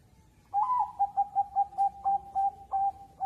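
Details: Zebra dove of the Bangkok line, kept for song contests in Jepara, Central Java, Indonesia, gives a soft cooing song: a rising opening note followed by a rapid series of short, even coos near one low pitch, ending on a longer held note.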